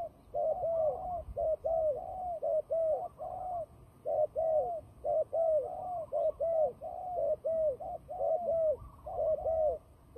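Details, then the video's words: Turtle dove in a fighting display, kept for trapping, cooing almost nonstop. Rapid runs of soft, bowed double and triple coos follow each other with only short pauses throughout. "fighting dove"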